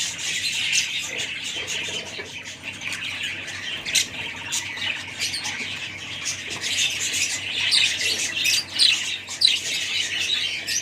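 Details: Several budgies keep up a busy, unbroken twittering of high squeaky chirps and warbled notes, swelling louder toward the end.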